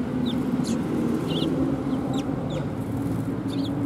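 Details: Sparrows gathering to be fed at Tenmangu shrine, December 18, 2020: irregular high chirps and twisting, wavering notes scattered over steady background noise, with a low continuous drone running underneath.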